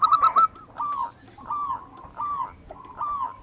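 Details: Zebra dove of local wild stock, sung as a lure: a brief loud burst of clipped coos opens, then a series of softer, evenly spaced cooing phrases over steady background noise.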